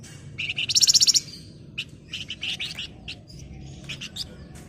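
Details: Flamboyan singing 'nyerecet': a strident, quick high rattle of evenly spaced pulses, followed by a busy run of shorter chirps and buzzy notes over low background noise.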